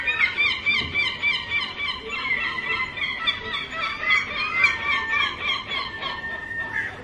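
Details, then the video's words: Gulls calling repeatedly, with rapid, nasal, harmonic squawking notes about three per second and several birds overlapping throughout. "Seagull Sounds"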